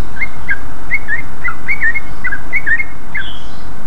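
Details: Greater green leafbird in energetic, loud song used as a lure to draw a response from other leafbirds; short whistled chirps in quick rising-falling pairs, roughly fifteen notes in four seconds, over a low steady hum.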